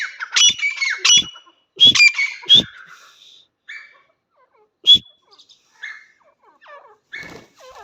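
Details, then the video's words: Partridge (teetar) giving harsh, grating squawks with sharp whistled notes, in loud bursts early on, then softer scattered calls. "teetar ki awaaz"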